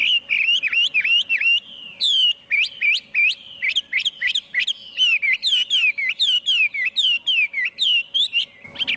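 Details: Hwamei song, recorded without background noise: rich whistled notes repeated in quick bursts, each note dipping and rising, delivered almost continuously for nine seconds.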